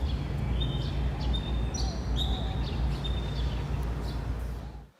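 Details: Black bulbul from Taiwan, a medium-sized songbird that likes trees and parks and squawks and makes weird sounds. Several short, high, squeaky whistled notes follow one another irregularly over heavy low background rumble, then the sound fades out.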